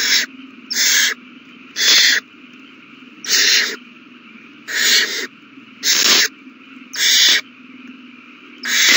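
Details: Owl chicks begging at a meal on 27 March 2020: rasping, breathy screeches about half a second long, evenly spaced about every second.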